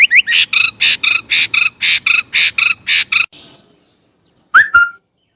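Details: Chinese blackbird giving about a dozen harsh, rasping notes in a rapid even series, then silence and a single sharp whistled upslur.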